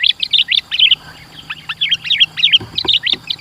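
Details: Sooty-headed bulbul in dense, busy gacor song used for luring and tutoring: a fast stream of bright, bubbling whistled notes, several per second, with a faint steady high tone and low murmur beneath.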